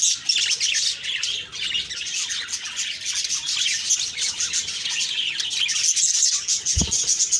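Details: Morning budgie chorus recorded October 2, 2023: steady, busy high-pitched chirps and warbles overlapping without pause, plus a single short knock near the end.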